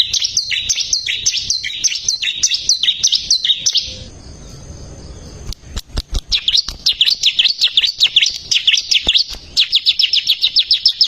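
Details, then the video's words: Bar-winged prinia song used as a training recording for caged birds: about four seconds of fast, high, chirping slurred notes, a hissy pause with clicks, then another long run of quick repeated chirps. "ciblek gacor masteran handal"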